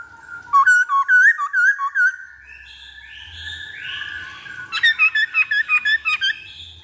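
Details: Black-throated laughingthrush song for luring other birds: a fast run of looping whistled notes, softer sustained tones in between, then another quick burst of repeated bright whistles.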